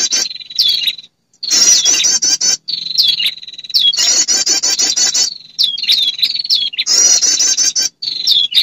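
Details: Female prinia calling for males, used to lure birds: repeated bouts of fast, high, rattling trills interspersed with short hooked whistled notes, several cycles with brief cut-off gaps.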